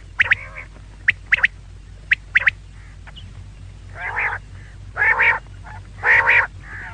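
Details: Sharp paired clicks from a female quail, then three loud nasal, harmonic bursts about a second apart, with a low hum underneath.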